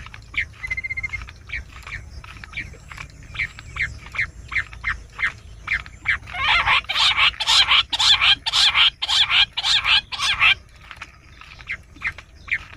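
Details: Bush quail call used as a hunting lure: rapid series of short harsh notes, about two per second, swelling into a loud dense chattering burst midway before thinning again.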